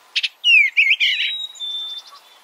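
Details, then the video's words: Eastern bluebird: two quick buzzy notes, then a loud descending slurred whistle running into a jumbled warble, trailing off into a thin level tone and fading pulses. "Suara Burung Eastern Bluebird - Eastern Bluebird Bird Sound"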